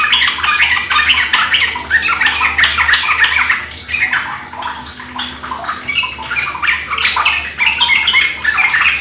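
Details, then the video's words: Trucuk (sooty-headed bulbul) lure song for stimulating caged birds; bubbly chattering phrases with a few clear whistled notes, easing briefly near the middle, over steady trickling water. "Pancingan trucukan agar ikut ropel gacor"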